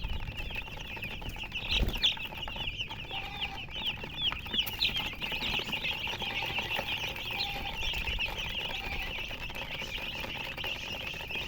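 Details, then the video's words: Coloured chickens chirping: a dense, continuous chatter of overlapping high peeps, with a lower tone surfacing now and then, a brief flapping thump near the start and steady background noise. "silly chicken chirping sounds with murgi hen color chicken"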